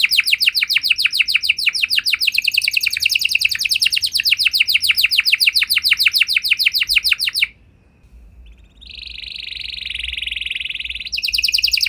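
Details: Energetic canary singing to coax replies from other canaries. Rapid trill of downward-sweeping notes lasts about seven seconds, a brief hush follows, then a softer rolling buzzy trill and a return to quick notes.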